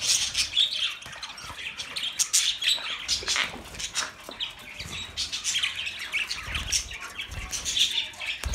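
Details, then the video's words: Continuous budgie chirping and warbling, rapid, scratchy and high-pitched, with a few clearer whistled tweets over several seconds. "Budgie Sounds for lonely Birds"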